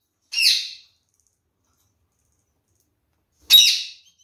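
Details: A captive red-fronted parakeet from a pair, busy eating seeds, gives two short, harsh, scratchy squawks roughly three seconds apart, with near silence between them.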